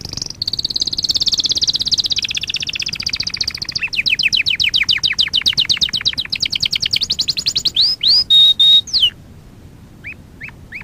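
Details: Canary song used for training: a high, dense rolling trill sliding into a long run of evenly spaced sweeping notes, then a few slow pure whistles and soft separate chirps, against a steady low background hum.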